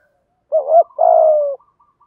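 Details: Single coo phrase of a spotted dove, 'giọng thổ thúc gù' style, meant to stimulate caged doves to coo: a quick warbled double note followed by a long, steady, hoarse coo that slowly falls in pitch.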